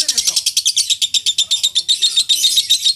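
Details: Lovebird champion-style song for training pet birds for singing contests: rapid high chattering notes pulsing about four per second, shrill and dense, with faint low background noise.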